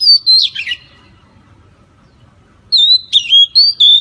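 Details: A White-rumped shama gives loud, clear whistles and quick warbled phrases separated by a brief pause, in a recording used as therapy to stimulate caged birds to sing.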